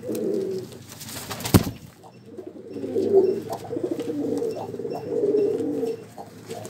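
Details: Low, rolling pigeon cooing in several rounded phrases, interrupted early by a loud thud, then steady murmuring coos with light clicks.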